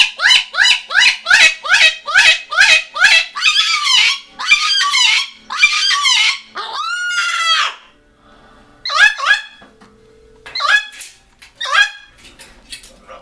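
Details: A newly adopted large cockatoo, reacting to a played video of another cockatoo, gives a fast run of harsh, rasping screeches, about two per second, then longer drawn-out screams with short pauses between bursts.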